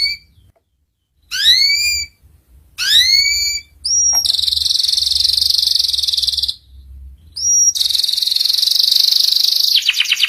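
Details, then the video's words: Canary master song meant for young birds to learn, with separated rising whistled notes, then long loud buzzy high rolls broken by short silences, closing with a descending rapid trill. "PANCINGAN SUARA KENARI PAUD CEPAT BELAJAR BUNYI NGERIWIK || MASTERAN KENARI PAUD"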